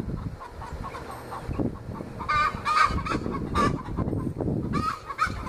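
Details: Young Australorp hens, about 20 weeks old, raising a backyard fuss with the egg song: a few strident harmonic squawks in clusters after the first two seconds, over a busy low rumbling background of wind or handling noise.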